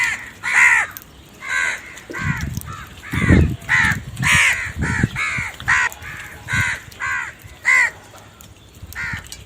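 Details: A long run of loud, raspy crow caws, about one to two per second, with a few deeper thumping sounds mixed in midway.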